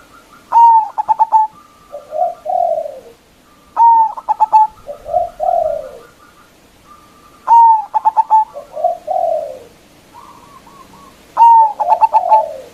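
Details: Lure zebra dove of local stock with a big voice, calling to challenge rival doves: about four ringing stuttered coo phrases, each followed by lower rolling coos, repeated steadily every three to four seconds.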